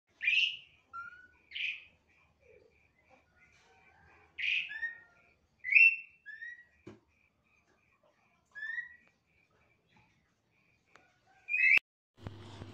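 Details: Birdsong in the morning: clear whistled notes, rising or slurred, given singly or in short pairs with long pauses between, over a faint steady tone, ending with a sharp click and a brief low hum.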